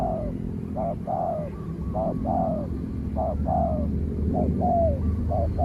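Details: Spotted dove, a trained bird out on a training session, calling against a wild spotted dove that keeps its distance before being driven off: repeated phrases of two short soft notes then a longer descending coo, about six phrases in a row.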